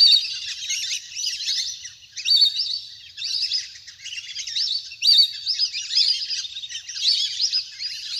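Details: Wild ducks in a big flock splashing about on water, a natural recording used to lure birds to land; many high twittering whistles and squeaky chirps crowd together in bursts, rising louder roughly every one to two seconds.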